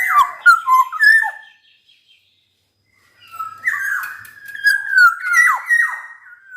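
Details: Black-naped oriole singing actively: a quick cluster of fluty whistled notes, about two seconds of silence, then a longer flowing run of liquid, down-slurred whistles.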